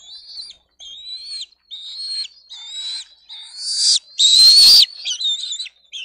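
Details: Wild bald eagle eaglets on a nest cam, screaming and fighting over a fish the parent has just brought; a series of high, thin, slightly rising piercing calls with short gaps, ending in a harsh loud burst.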